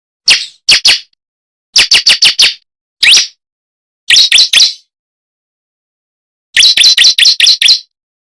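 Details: Bar-winged prinia lure call for attracting birds: sharp, high, harsh chips delivered in quick clusters of two to six notes, with short silent gaps between the groups.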